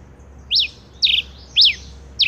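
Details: Male rufous-collared sparrow singing: high, clear notes alternate between a sharp rising-then-falling slur and a falling note with a brief stuttering trill, four notes about half a second apart over a quiet background hum.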